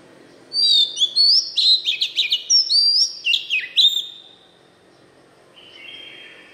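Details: Oriental magpie-robin in wild-type forest voice, sung to stimulate young kept birds: a rapid three-second run of loud whistles, slurred notes and clipped chirps, then a softer trailing whistle over a low background rumble.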